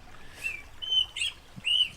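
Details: An Austral thrush sings in a garden, giving three short, clear, slightly slurred whistled phrases spaced about half a second apart over a quiet background.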